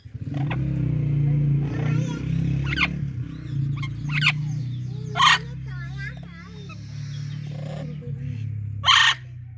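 Ringneck parakeets greet each other with chattering, speech-like mimicry and a few sharp, harsh squawks over a steady low rumble.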